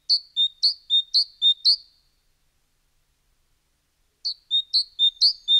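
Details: Great tit (Parus major) song, Europe: bright two-note phrases, high dropping to lower, about twice a second in two short bursts separated by a pause.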